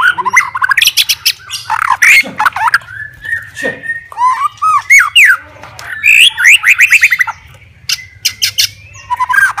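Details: White-rumped shama, a fighter bird singing to challenge rivals, delivers a long varied song of fast trills, slurred whistles and harsh chips, changing phrases every second or two, with a low hum in the background.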